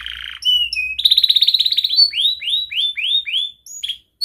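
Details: Young canary used as a tutor bird for training other canaries, singing a rapid varied song: a buzzy opening, a fast dense trill, then a series of repeated downward-sweeping whistles and sharp high chips.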